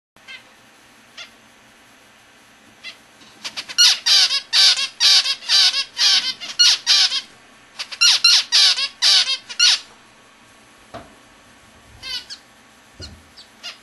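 A zebra finch sings a quick run of nasal, buzzy notes, repeating the same short phrase several times.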